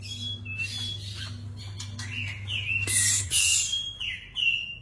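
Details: White-rumped shama singing varied whistled phrases, slurred notes around mid-high pitch with a loud burst of harsh rasping notes near the middle; steady low hum of a machine underneath.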